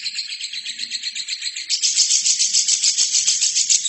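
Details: Gacor lovebird on a master training track: a fast, high, buzzy chatter that swells into a louder, harsher rattling run after a moment, about three to four pulses per second.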